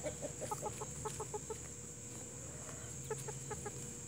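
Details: Plymouth Rock and Hamburg breed chickens clucking in an even series of short notes, several per second, pausing, then resuming more sparsely, amid broad background hiss and a low rumble.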